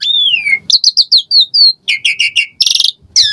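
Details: Lure song of an Asian pied starling, full of varied fill-ins, played so caged birds will sing; a long descending whistle followed by rapid chirps, slurred whistles, buzzy chatter and a harsh rasping burst.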